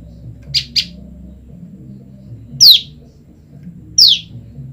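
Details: A female olive-backed tailorbird, kept apart from her male, calls for her mate. A quick pair of sharp high chips is followed by two louder notes, each sweeping steeply downward, over a faint low hum.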